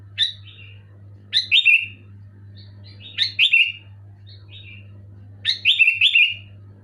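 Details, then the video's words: Sooty-headed bulbul song, loud and clear, used to trigger a moulting bulbul that will not sing: four quick liquid whistled phrases, some doubled, over a faint steady hum. "Suara burung kutilang gacor keras jelas bikin kutilang omyokan macet malas bunyi auto bunyi gacor"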